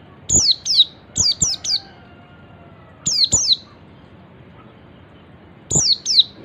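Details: Ngalas-style calling by an Oriental white-eye, meant to get other white-eyes calling too; bright, steeply descending whistles in quick groups of two and three, repeated after gaps of about a second or more.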